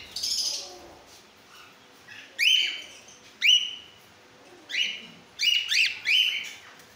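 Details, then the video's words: Cockatiels of several colour mutations; clear whistled calls that sweep up then hold steady, given singly or in quick pairs every second or so, with quieter chatter before. "Cocktail Sound"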